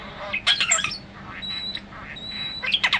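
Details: Pet European starling singing while perched on a computer monitor indoors, a daily habit; bursts of harsh squawky rattles, then thin drawn-out whistles and mimicked tones, ending in rapid clicking, chattering notes.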